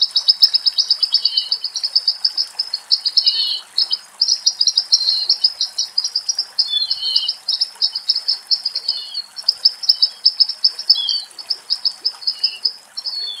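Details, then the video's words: A western rock nuthatch near water in a forest, where it comes to bathe, sings loud, fast series of high ringing notes in long rattling runs with brief pauses; a few softer chirps sound beneath, and raptor calls are heard at times. "Βραχοτσοπανάκος Κελάηδημα"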